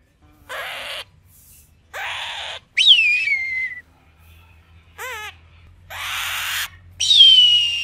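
An eagle gives harsh, hissing screeches and high, thin screams that slide downward, in short bursts separated by brief silences.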